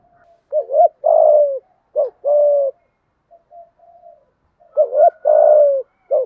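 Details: Thúc gù cooing by a spotted dove, giọng thổ voice: about three phrases of a short double note and a long low coo, with quiet soft murmuring notes in the pauses.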